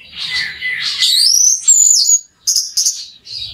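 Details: Orange-headed thrush (anis merah) song used as a lure: a scratchy warble sweeping steeply upward into a very high whistle, followed by short high chirps.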